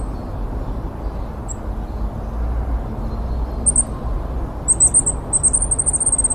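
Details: Free-living goldcrest: scattered very high thin notes building into a fast, high-pitched rippling phrase toward the end, heard above a constant low rumbling background.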